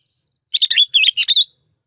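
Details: One fluent phrase of five or six liquid, warbled notes from a sooty-headed bulbul kept as a decoy, with clean silence around it.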